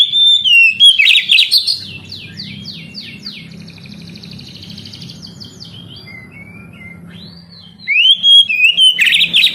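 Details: A kacer, the oriental magpie-robin, sings in a recording aimed at young canaries that will not sing: loud whistled phrases and chatter, then a long stretch of soft repeated buzzy notes, before loud phrases return.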